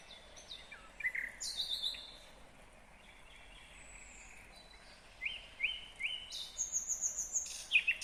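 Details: ['Nightingale singing in Kyrgyzstan in 2020: scattered clear whistles and short trills, bursts near the start and end, separated by a quiet stretch, over steady low background hiss.']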